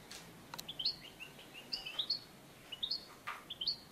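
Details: European goldfinch at a clap-net trapping site giving short, high, upslurred chirps in small clusters roughly every second, with a couple of sharp clicks and quiet background noise.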